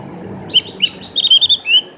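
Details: Javan grey-throated white-eye giving a few separate sharp high chirps, then a quick cluster of bright notes ending in a drawn-out rising whistle.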